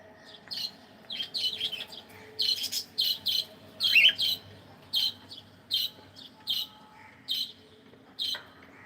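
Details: Pet cockatiel chirping while it plays: a steady string of short, bright chirps about once a second, some crowded into quick runs, with one louder squeaky note midway.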